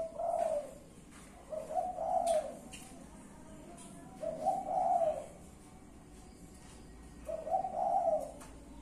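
A spotted dove gives soft, low, husky coos in short phrases, repeated every two to three seconds, over faint background hiss.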